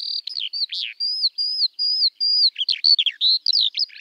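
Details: High skylark (Alauda arvensis) song made of repeated level whistled notes about two or three a second, broken by quick twisting chirps and short downslurs, continuous and clear with no other sound.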